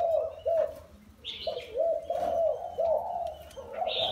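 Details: Spotted dove, wild-caught, four years in a cage: short low coo notes spaced out, a few gliding upward, with occasional higher twittering bursts.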